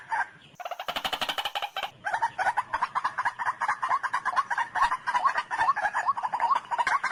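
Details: Fast, rattling run of sharp calls from a white-breasted waterhen, preceded by a brief burst of buzzy noise.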